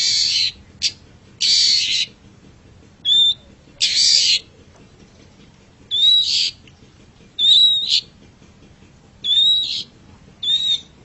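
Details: Master recording of a long-tailed shrike for teaching caged birds to sing: loud scratchy rasps mixed with clear, slightly rising whistled notes, delivered in separate phrases spaced one to two seconds apart.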